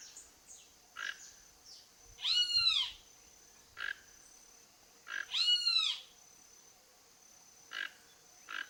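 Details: Wild toco toucan visiting a backyard in search of food: two loud, harsh, arched calls with rich stacked harmonics about three seconds apart, between short clicking notes, over a steady high-pitched whine.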